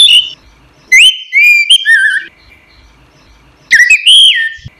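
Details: Orange-headed thrush in a cage, singing for songbird training: clear whistled notes that rise, hold and drop in pitch, grouped into two phrases with a long quiet gap between them.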